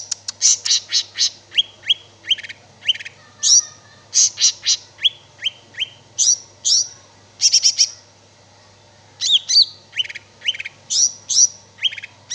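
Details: Greater green leafbird (cicak ijo) singing vigorously for over twelve seconds, mixing fast rattles, repeated descending whistles and buzzy high notes, with one short pause midway and a steady low hum.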